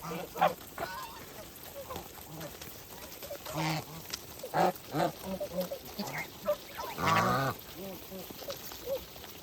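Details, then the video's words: Farm geese at feeding time call in uneven bursts of nasal honks, one longer, deeper, strongly harmonic call standing out late, with background flock chatter throughout. "Geese life with natural sound"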